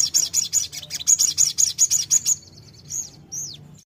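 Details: Sogon fighter bird song used to provoke a reply: rapid run of high, sharp repeated notes for about two seconds, then quieter, separate downward-slurred whistles with pauses between; soft low hum in the background.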